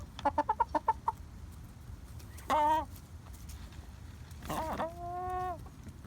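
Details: Sick hen whose crop is full and squishy in the morning with no food, giving an odd voice: a quick run of six short clucks, then a drawn-out nasal squawk, and later a longer wavering tone over faint background hum.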